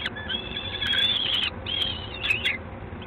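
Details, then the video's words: Peregrine falcon at LOTOS in Gdańsk on the evening of 3 June 2016 gives a long, thin, wailing call lasting over a second, then two shorter strained calls, over a constant low background hum. "Sokół wędrowny"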